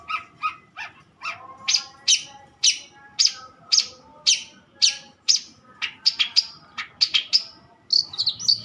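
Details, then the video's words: Mature long-tailed shrike singing: doubled low whistles, then loud sharp high notes repeated about every half second, ending in twittering trills. "burung cendet gocoor poll"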